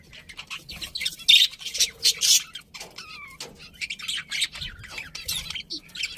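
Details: Budgerigars chirping, loud buzzy squawks early on, then brief clean falling whistles among steady scratchy warbling chatter.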